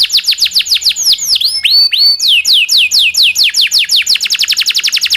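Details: Rolling tutor song from a local canary for training shamas, magpie-robins and leafbirds: quick falling whistles, a pair of slower looping notes, then a rush of accelerating sweeps into a rapid roll.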